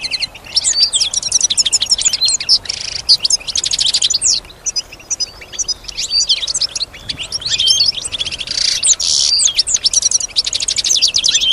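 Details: Caged female European goldfinch singing in response to surrounding sounds: a continuous, fast, high twittering song of liquid chirps and buzzy trills with no breaks.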